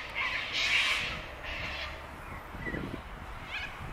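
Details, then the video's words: Sulphur-crested cockatoos at Bundanoon station in Australia, June 2021: one long, harsh raucous screech, then quieter grating notes and a low rough call, with faint rumble beneath. "Sulphur crested cockatoos at Bundanoon station"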